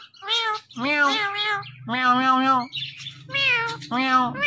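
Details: Indian ringneck parrot speaking in a steady run of drawn-out, nasal, voice-like words resembling repeated meows. Each phrase is about a second long with brief gaps between them, and a low hum runs underneath.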